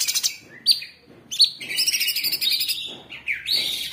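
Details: Cucak cungkok, the orange-bellied leafbird, a cage bird singing a training master song: sharp upslurred whistles and chattering high notes, then a dense sustained warble, with a faint low background hum.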